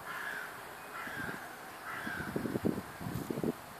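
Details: Early morning on a residential estate in Służewiec, Warsaw: a bird gives three harsh, level caws in slow succession, followed by clattering and tapping sounds against steady low city noise.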